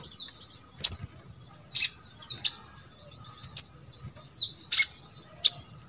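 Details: Brown-throated sunbird (sogok ontong) sound meant to get others of its kind singing: sharp, very high chips and short down-slurred squeaks about once a second, with quiet pauses between.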